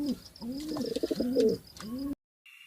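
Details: Low bird coos with rising and falling rolls, repeated in a noisy setting with some background clatter.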